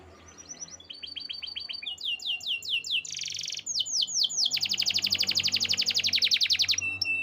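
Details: Canary song built of repeated swooping whistled syllables changing every second or so, a brief buzzy section, then a long rapid high trill, with faint low hum behind.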